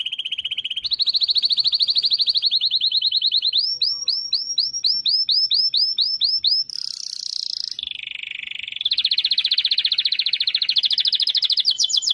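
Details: A canary's varied song: steady rolls, a run of repeated arching whistled notes, a high buzzy segment, then fast rattling trills rising in pitch toward the end.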